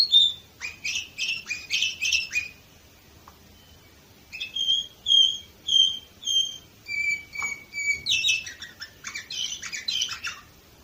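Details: Orpheus canary recorded in Varna, Bulgaria, in 2018, pouring out rapid rattling trills, then a series of pure whistled notes at a steady beat, a lower held tone, and a final burst of dense chattering.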